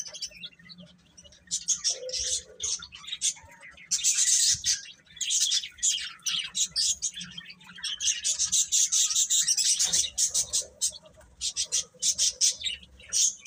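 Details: A brood of young chicks chirps steadily, with loud high peeping in packed runs, a few lower squeaky notes, and short lulls between bursts.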